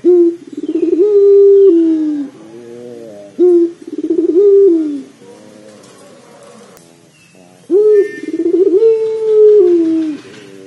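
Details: Lure recording of a pelung dove, meant to get a dove calling: three long coo phrases, each starting with a rapid fluttering trill and stretching into a sustained level note, separated by quieter pauses.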